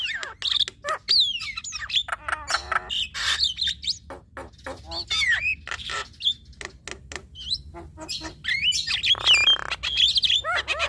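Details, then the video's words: Javan myna pair, male and female, singing together in a busy mix of sharp clicks, sweeping whistles and grating squawks with a brief harsh rasp. "Duet Jalak Kebo Fenomenal Jalak Kebo Jantan Dan Betina Bongkar Isian"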